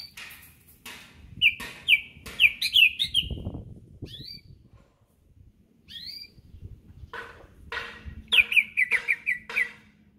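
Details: A greater green leafbird from Berau, being prepared for competition, sings bright whistled phrases: quick runs of sliding notes mixed with sharp clicks and chips, in two bursts separated by a short pause.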